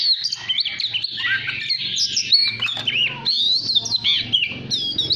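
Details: Oriental magpie-robin singing to rouse other birds: a dense run of varied high whistles, slurred rising and falling notes and quick chirps, almost without pause, over a faint low hum.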